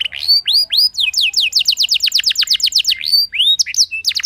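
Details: Song of a canary played so other canaries join in: curved whistles, a rapid run of descending chips, then mixed short twittering notes and sweeps, continuous and lively throughout.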